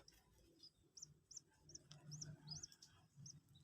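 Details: Common Moorhen chick, two days old, being hand-taught to eat feed: a handful of high, slightly arched peeps about three per second over a low murmur of background noise.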